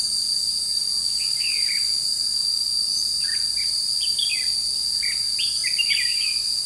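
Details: Red-whiskered bulbul used as a decoy in a trapping setup, recorded 21 July 2016: short warbled, chirpy phrases come in bursts of two or three notes, sitting under a loud, steady, high insect drone.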